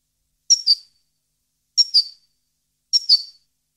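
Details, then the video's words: Goldfinch, subspecies parva, 2015: high, sharp two-note whistled phrases, each a quick double chip. Three phrases arrive about every 1.2 seconds against silence. "Goldfinch song 2015/ Canto Jilguero Parva 2015"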